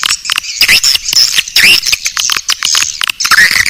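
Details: Swiftlet call used to lure swiftlets, in the Naga Birahi style: bursts of squeaky chirps and rising, slurred twitters separated by brief pauses, high-pitched and chattery.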